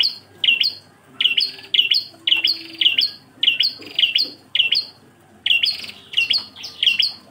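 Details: Bar-winged prinia singing the single-phrase 'engkel' style used as a tutor recording for songbirds: sharp, high doubled chirps repeated in steady bursts roughly twice a second, with short pauses between groups.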